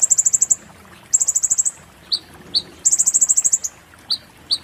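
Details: Muntah beling style song of an Oriental white-eye, used as a tutor recording: very high, quick runs of seven or eight bright notes, alternating with single lower downslurred chips.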